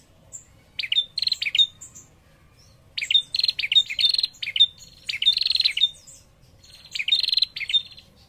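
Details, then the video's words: A female prinia calls steadily to lure a male into answering. Dense clusters of fast, rasping ticks come in short runs, some closing with a brief pure whistle, over about eight seconds. Soft high chirps sound faintly in the background. "prenjak betina gacor memancing bunyi prenjak jantan"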